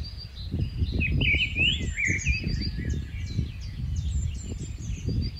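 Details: Rufous-tailed scrub robin, a migratory bird, singing varied warbled and whistled phrases with sweeping notes and short high chips, set against strong low rumbling background noise.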